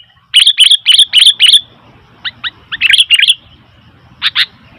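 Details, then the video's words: Sooty-headed bulbul in a noisy mood: a quick run of five bubbly chirps, then scattered sharper notes and a final double chirp. "Suara Burung Kutilang ribut"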